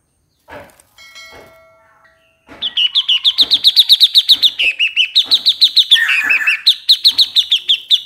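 A bulbul gives a long run of quick, bright, chattering notes, several each second and fairly high-pitched, after a few soft thin tones at the start.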